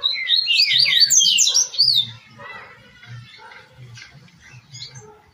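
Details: Double-collared seedeater with "tui tui" style song for training caged birds: an opening rush of quick swooping high notes, trailing into sparse softer chirps over a low background rumble.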